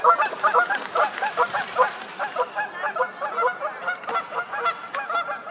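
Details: Several Canada geese honk loudly during a fight, an unbroken chorus of overlapping nasal honks pulsing around two or three times a second.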